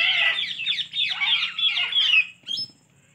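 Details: Pet Alexandrine parakeet giving loud, harsh squawking calls in a continuous raspy stream for about two seconds, then a shorter final squawk; a faint steady low hum underneath.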